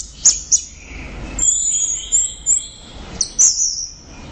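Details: Orange-headed thrush, known locally as anis merah, giving loud song: sharp high notes followed by a long sustained high whistle with a lower tone beneath, then more bright high phrases.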